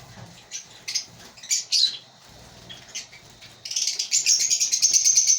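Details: African lovebirds at a breeding colony make scattered high chirps, then break into a rapid, sustained, buzzy twittering of many overlapping shrill notes.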